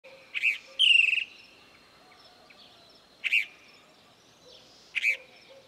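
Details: Chalk-browed mockingbird visiting a farm in the Bahia backcountry, northeastern Brazil, giving sparse high chirps, one drawn into a harsh, buzzy note, then single sharp notes about two seconds apart over a faint low background.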